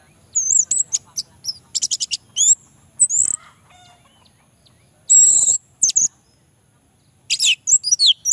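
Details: Orange-headed thrush song used as a lure for males that are slow to sing: separate bursts of high, twisting, squeaky whistles and chirps, broken by gaps of near silence.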